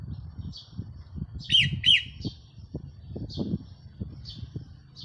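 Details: Red-whiskered bulbul used as a decoy bird, recorded 4 May 2023, singing a pair of sharp, loud chirpy phrases close together, then scattered thin high notes, over low thumping noise.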